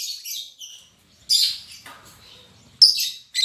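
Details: Newly paired lovebirds in a cage, albino MM male and lutino MM female, give brief shrill chirps and rasping bursts separated by near silence, with faint rustling.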